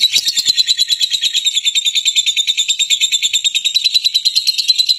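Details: Fighting lovebird calling to provoke rival lovebirds into singing. A steady, piercing, high chatter of rapid evenly spaced pulses fills the whole stretch.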